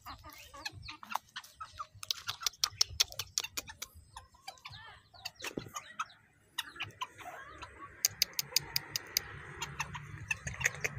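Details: Serama or bantam (kate) chickens kept in a small backyard pen give short, soft clucks among sharp tapping and pecking clicks; chicken call.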